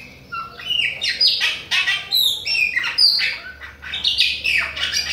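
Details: Nonstop singing by a Bahian chopi blackbird toward other birds: bright whistles and downward-slurred notes mixed with noisy buzzy bursts in quick succession.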